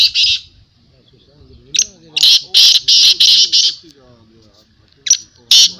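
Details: Black francolin at a 2022 calling tournament: loud harsh rasping notes in a rapid series of about five, then two more after a pause, with men talking between the calls.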